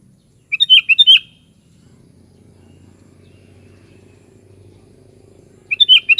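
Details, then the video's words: ['Sooty-headed bulbul singing: two short bubbly whistled phrases of rising and falling notes, then a long quiet gap with faint low hum before another phrase begins at the end.'] "SUARA BURUNG KUTILANG"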